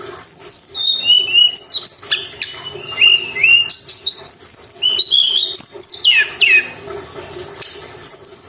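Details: Lure recording of a Sunda robin singing without pause, meant to provoke caged birds: steady mid-high whistles, sudden falling sweeps and very high thin notes alternate in lively, irregular phrases.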